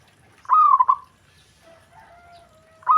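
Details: Perkutut, the zebra dove, giving a call other doves respond to at once: one rapid stuttering coo phrase, a pause with a thin steady whistled tone, then the next phrase beginning.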